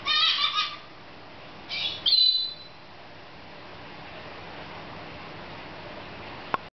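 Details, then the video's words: Female pet lorikeet laughing during play in a new playground; a burst of grating chatter, then two sharp, buzzy squawks close together, followed by about four seconds of quiet and a faint click at the end. "Laughing Lorikeet"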